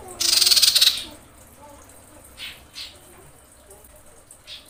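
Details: Female common iora in breeding condition calling males with a loud, rapid, pulsed buzzy rattle under a second long, followed by a few soft scattered chips.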